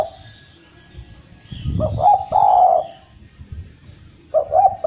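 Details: Eurasian collared dove of the Javanese kind, a 'gacor' lure song to get silent doves calling again; a stuttering opening rolls into a long steady coo, with another phrase starting near the end amid low rumble and faint high hum.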